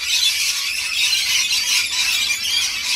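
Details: A crowd of rainbow lorikeets screeching steadily while they are fed, an unbroken wall of high, rasping squeals and chatter.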